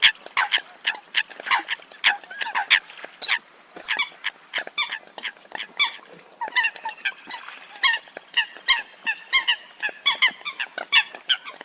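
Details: Eurasian coots calling in a busy chorus of short, nasal, honk-like notes, stacked and overlapping, delivered in rapid irregular runs throughout with hardly a gap.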